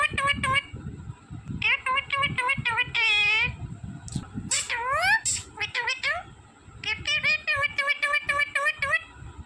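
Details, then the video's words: Green pet parrot imitating speech: a drawn-out wavering nasal call and sharp swooping squawks between runs of rapid clipped syllables, with low human voices in the background. "smart green Parrot Talking Natural Sounds"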